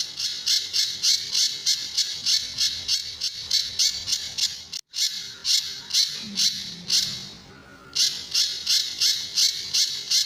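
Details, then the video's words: Sunda bush warbler, or pijantur, with the tembakan and besetan song styles, used to train other birds. Rapid buzzy high bursts run in three bouts, broken by a brief cut and a short pause. "Burung Pijantur Gacor"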